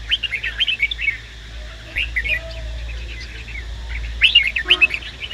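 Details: Red-whiskered bulbul male singing in response to a female: quick bursts of sweet, chattering whistles at the start and end, separated by a quiet gap with faint background sounds.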